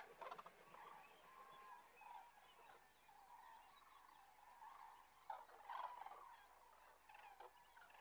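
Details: A resting flock of common cranes near Kastlösa in September 2013 keeps up a faint, continuous chorus of bugling calls, with a few louder nasal notes standing out near the middle.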